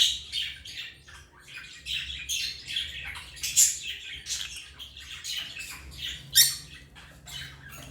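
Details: African lovebirds chirping and squawking in a continuous chatter of harsh high-pitched notes, irregular bursts with louder sharp squeaks rising above the stream, steady low hum beneath.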